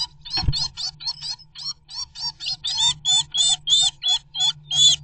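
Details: Two blue tits, sometimes fighting together, defend their nest site against a great tit and win; blue tit scolding with a rapid series of harsh, buzzy chattering notes, about three per second. A low hum and a knock early on.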